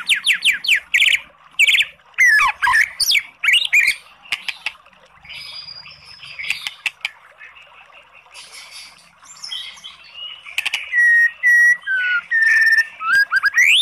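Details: White-rumped shama song used to provoke a lazy bird into responding; fast harsh chattering and swooping notes, a quieter scratchy middle section, then bright clear whistles and sharp rising notes near the end.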